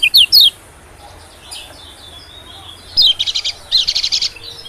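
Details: White-eye lure call used to attract small birds: a few high sweeping chirps, then two bursts of rapid buzzy trilled notes after a quiet gap.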